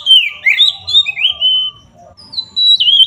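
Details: Whistled 'ngeplong' song of an oriental magpie-robin, meant to anger rivals: long pure notes bending up and down, a short break, then more fluting slurred whistles.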